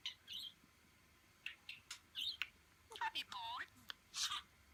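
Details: A male pet budgerigar (Melopsittacus undulatus) talking to its owner's finger and nail chatters in quick, scratchy chirps and warbles, mixing in garbled speech-like mimicry.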